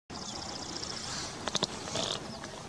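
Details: Many-striped canastero recorded at Montepotrero, Huánuco, in October 2018, giving a quick series of high, thin, evenly spaced notes, then a few sharp clicks and a brief high note, over a soft background hiss.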